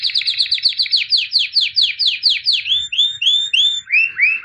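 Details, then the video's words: Albino white canary, a 2017 champion, singing a fast trill of descending notes that gradually slows into well-spaced, swooping downward whistles, each one longer and more drawn out. "Εκπαίδευση καναρινιών - θα κελαηδούν σαν αηδόνια White Canary Singing (Albino)"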